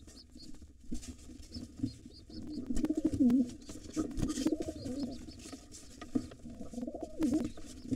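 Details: Wild pigeons fighting at a nest holding two nestlings, a white father driving off a gray intruder. Deep, wavering coos swell and fall in several bouts amid wing flaps, tapping and scraping in a small enclosed space.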